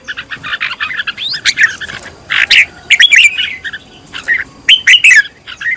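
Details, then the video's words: Red-whiskered bulbul being trained as a decoy bird, in a fired-up state. Its song is a quick run of bright chirps and warbled whistled notes, mid-to-high pitched, in short bursts with brief pauses between them. "Cách luyện chào mào mồi - căng lửa| luyện chào mào thành mồi, luyện giọng chào mào hót hay"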